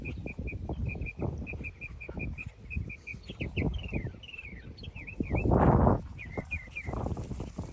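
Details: Meadowlark singing in a field, a run of quick even notes followed by slurred, descending whistled phrases, with gusty low rumbling noise underneath.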